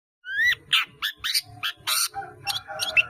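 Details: Long-tailed shrike, kept caged, in full song packed with many borrowed phrases: harsh buzzy notes and rising whistles, each alternating with short pauses over about three seconds. A faint low hum sits underneath.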